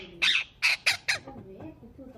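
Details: Green parrot kept as a pet, said to be chirping and talking; four loud, harsh, buzzy squawks come in quick succession over about a second, then fade into softer, quieter murmuring calls.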